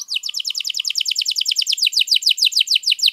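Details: Long-singing canary, played as a master recording for other birds, repeats quick downward-slurred whistles about three per second in a steady, rolling trill without pause.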